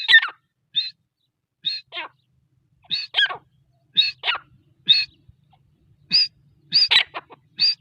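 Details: Female grey francolin (teetar) giving spaced, sharp, high-pitched notes, often in quick pairs with a descending second note, repeated roughly every second against a quiet background.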